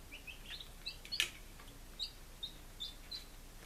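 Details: Baby chickens on day five in Lunenburg, Massachusetts, July 2017, giving a handful of high falling peeps roughly every third of a second, plus one sharp click.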